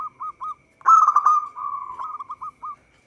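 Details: Local zebra dove singing vigorously for use as a trapping lure. A few short cooing notes are followed by a loud, fast burst and a drawn-out rolling coo, then separate staccato notes fading away.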